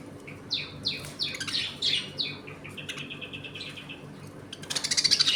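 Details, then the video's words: Pet budgerigars chattering while eating and playing in a home colony; a run of sharp descending chirps, then a rapid stuttering trill, ending in a loud burst of harsh, scratchy notes. "Budgies Eating and play time in my home colony."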